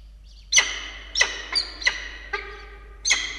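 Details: Evening feeding at a peregrine falcon nest in Australia, 16 October 2022, with two chicks, recorded by nest camera: six loud, grating calls repeated at irregular intervals of about half a second.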